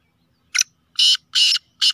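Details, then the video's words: Kala teetar, a black francolin of the Sheedi Gangas Nasal strain described as a speeder: a short scratchy opening note, then three loud, rasping broadband notes spaced about a third of a second apart. "Speeder Kala Teetar Chakri Wala Teetar Beautiful Kala Teetar Sheedi Gangas Nasal"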